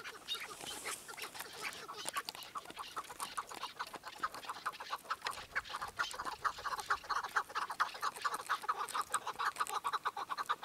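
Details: Chukar partridge giving a long run of rapid, clucking notes that grow louder and more regular toward the end, like many birds calling together in a steady chattering rhythm.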